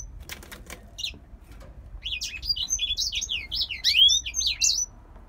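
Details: Captive male grey singer finch from Poland: some clicking and fluttering sounds first, then a fast high twittering phrase of slurred whistles over the last three seconds.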